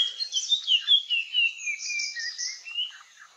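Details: Puff-throated babbler in the Nilgiris, India, singing while it dances in display: slurred whistles slide up and down, then a higher warbled passage, fading out toward the end.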